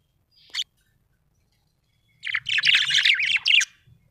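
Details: Small parrot: a single sharp chirp, a pause, then a dense burst of high, harsh, rapid chirps lasting over a second against a quiet background.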